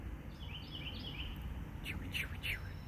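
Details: A Carolina wren, heard from a stationary birdwatching spot, sings loud, chewy, down-slurred notes in a quick rolling series over steady low rumbling background noise and a few softer chirps; a higher trill, possibly a song sparrow, is also noted.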